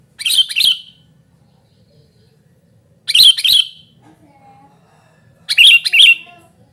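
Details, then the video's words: Loud calling of a sooty-headed bulbul, used to lure birds and tutor silent ones: three scratchy double-note bursts spaced roughly two and a half seconds apart, quiet in between. "suara burung kutilang gacor super ribut memanggil"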